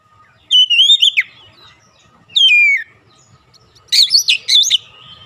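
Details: Oriental magpie-robin song played to provoke rival magpie-robins: three spaced phrases of bright whistles, the first two sweeping and falling, the last a rapid burst of chirpy notes, roughly every one and a half seconds.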